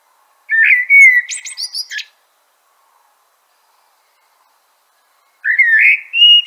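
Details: Two song phrases of a common blackbird (Turdus merula), each a deep fluty warble; the first closes with thin, high screechy notes, separated by about three seconds of quiet.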